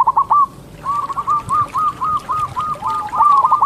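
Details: Local zebra dove singing actively, in a tutor recording. A quick bubbling run of short coos, a brief pause, then a long even series of rapid, slightly rising coo notes, about five each second, over faint background hiss.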